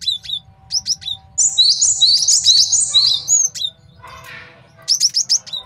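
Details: Male cinereous tit singing a master song used to train birds and to lure wild birds for trapping: sharp high chirps, then a fast run of repeated two-note phrases, a brief rasping burst, and more chirps over a low hum.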